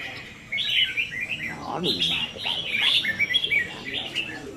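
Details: Caged red-whiskered bulbuls practising contest singing, 15 May 2021. Short, clear, whistled and chirping phrases overlap, and a man's voice cuts in briefly.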